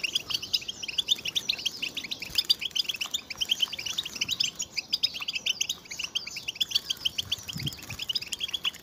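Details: A group of European goldfinches twittering together, a recording made to stimulate males to sing; dense, continuous high chirps and trills overlap throughout, with quick twittering notes layered over one another and no pause.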